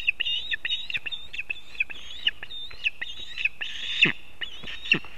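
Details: Osprey at a nest on a bent old pine in Kurzeme, Latvia, on 1 September 2024, as the male brings fish for breakfast for the chick: a rapid series of high whistled chirps, about two per second, with louder peeping notes and faint low thumps.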